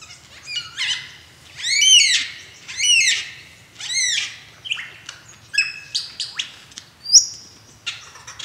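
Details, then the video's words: Male lyrebird in Australia singing during a mating display dance: a varied medley of loud, rich arched notes about once a second, then sharp chips and a high thin whistle. "Incredible Lyrebird Mating Dance"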